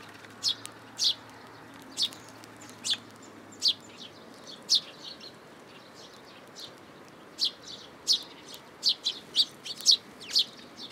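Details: Young sparrow seeking food in a plum tree at a Tenmangu shrine, June 2022, chirping high and sharply, spaced at first, then a quiet pause, then a quicker, denser run of chirps toward the end.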